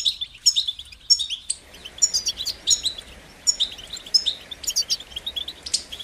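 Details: European goldfinch song for stimulating singing: short twittering phrases and sharp chirps at irregular intervals, with a hiss of background noise rising after the first seconds.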